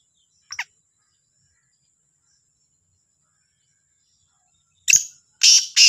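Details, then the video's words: Morning call of a Black francolin near Sahiwal: one short rasping note, a long silence, then a burst of loud, grating, closely spaced harsh notes at the end. "کا لا تیتر کی صبح کی آواز | Kala Sindhi Teetar Ki awaz"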